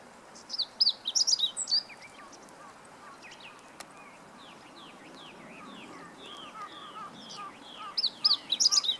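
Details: Singing meadow bunting, 20 March 2015: two bright, rapid phrases of high jumbled twittering, one near the start and one at the end, with softer lower chirps from other birds between them.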